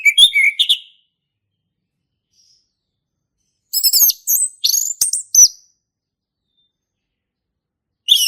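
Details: Male orange-headed thrush singing: a short run of whistled notes, a long pause, then a rapid high phrase of varied chirps and slurs, ending with another burst.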